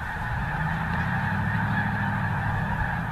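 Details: Geese passing over the Missouri, an unbroken blended clamour of honks under a steady low drone.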